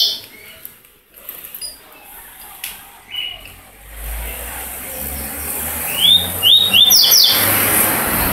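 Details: A double-collared seedeater aged one year and six months gives a few scattered high chirps, then a quick run of bright slurred whistles near the end, over a low background hum.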